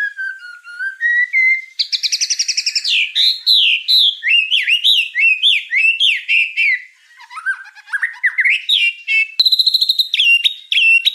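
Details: Varied white-rumped shama song, murai trotol training material: low smooth whistle rising in steps, then fast buzzy trills, looping whistled slurs, a dip into lower rolling notes and a final bright high-pitched phrase.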